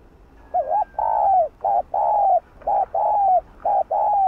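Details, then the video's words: Spotted dove, the ground dove, cooing to stir up other doves. Paired notes repeat steadily, each a short hollow note followed by a longer, level or slightly falling coo, about four pairs in succession. A soft low hum sits in the background. "Cu Gáy Giọng Hạp Bổi ĐỦ BÀI || GỌI +THÚC + GÙ || Kích Bổi Sung Mãn"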